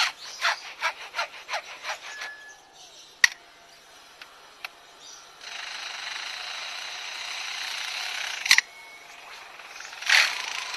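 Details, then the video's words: A zoo lyrebird mimics nearby construction work: a quick run of rhythmic sawing strokes, sharp clicks and a short whistle, then a long steady buzz like a power tool. "Lyrebirds are able to reproduce almost any sound they hear."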